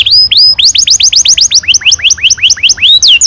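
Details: Canary song used to coax young canaries into singing. Quick upward-sweeping whistled notes repeat rapidly, about five per second, with a few higher slurred notes mixed in.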